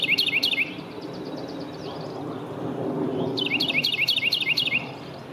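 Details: A Carolina wren in a yard in Downers Grove, DuPage County, Illinois, on 3 April 2018, sings two bursts of loud, rolling phrases, each a quick ringing triplet repeated several times, over a steady low background rumble.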